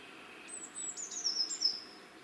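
A Eurasian Blue Tit gives a very high, thin sustained note, then steps down into a short, slightly lower trill, all within about two seconds.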